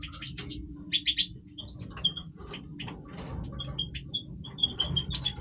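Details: Breeding-voice song of a Major European goldfinch: a lively run of high twittering notes, short buzzy trills and liquid tinkles in quick succession, with faint low hum beneath.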